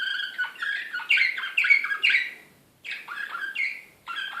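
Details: Excited Serbian slavujar canary from Belgrade, 2016, delivering quick clusters of falling whistled notes, then a short pause before the rolling phrases resume, with little background sound.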